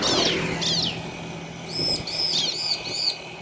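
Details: Bar-winged prinia pair duetting, played to excite other birds; two falling buzzy sweeps followed by a run of high clear arched notes, over a steady low hum and background noise.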